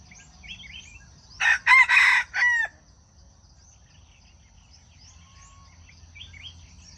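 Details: Junglefowl crow used as a lure for trapping wild chickens: four loud harsh syllables in just over a second, the last a drawn-out falling note, over quiet background chirps from small birds.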